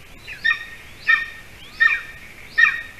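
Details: Golden eagle on a Latvian nest camera, 06-12-20 at 8:42 p.m., when a larger bird is delivered as prey to the nest with a chick; four clear, ringing yelps with falling tails, spaced about 0.7 seconds apart over quiet background.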